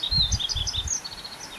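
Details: Yellow-throated bunting, a resident bird, recorded during neighbourhood birdwatching: one fast, bright phrase of high slurred chirps that gradually drops in pitch and fades, with soft low rumbling beneath.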